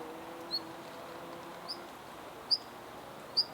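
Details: Siberian long-tailed rosefinch in a park: short, thin, high chirps, four notes spaced roughly a second apart, each a quick upward-flicked pip, over a soft low background hum.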